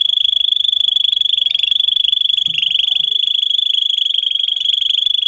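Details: Russian singing canary, recorded as a model for young canaries. A sustained high trill of rapid pulses dips slightly in pitch midway, then rolls on evenly to the end.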